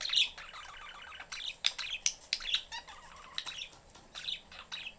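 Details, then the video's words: Caged family of budgies, parents and a youngster wanting attention, chattering in a steady stream of sharp high chirps and warbled squawks, bursts crowding close together, no other sounds standing out. "family budgies in cage/chriping, mom is busy, kid looking for attention."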